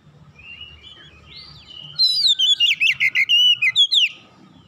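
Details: Oriental magpie-robin song used as tutoring audio for untrained birds. Quiet, faint whistles, then from about two seconds a loud burst of rapid, varied whistled notes, swooping and trilling, with steady low background hum.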